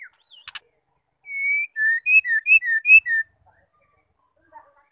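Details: Female white-rumped shama, or murai batu betina, calling to spur males to sing. After a long steady whistle comes a quick string of about eight bright whistled slurs alternating between higher and lower pitch, with silence around them.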